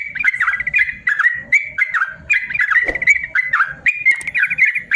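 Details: Long song from a caged yellow-vented bulbul, used to train lazy birds to sing: loud bubbling phrases with short trills, separated by brief pauses, faint tapping below.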